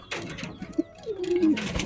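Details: A single low pigeon coo slides downward and then levels off, among thuds and rustling in a small room.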